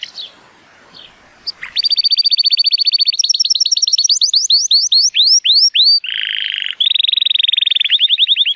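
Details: An 83-point male Timbrado Español canary from 2018 singing on a bright day: after a soft start, fast bubbling trills rise into sweeping upward notes, a low dense rattle, then another quick trill.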